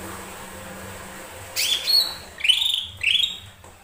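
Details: Lesser green leafbird song used to stir other birds into singing: after a quiet start, a sharp high note and then two upward-sweeping whistled phrases follow one another.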